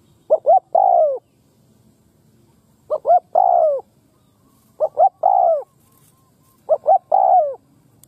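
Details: Spotted dove from Đồng Pha, molting, with a good voice and decent song: four phrases of two clipped coos followed by a long, slightly falling coo, spaced roughly two seconds apart; soft voice at the end.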